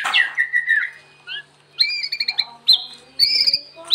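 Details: Murai batu (white-rumped shama) singing lively, used for training other birds: a swooping whistle, then buzzy, harsh chattering bursts separated by short pauses, with faint clicks.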